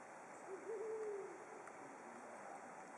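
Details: Brown wood owl; one soft, low hoot with a wobbling start, then a sustained tone, over constant background hiss.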